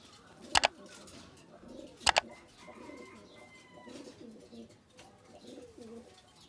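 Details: Indian Kaldom breed pigeons, males and females, give soft, low coos that murmur repeatedly, broken by two sharp claps.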